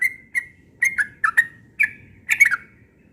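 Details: Short burst of a yellow-vented bulbul's morning ropel song, spaced whistled notes building into a closing tumble of rapid, gurgling syllables.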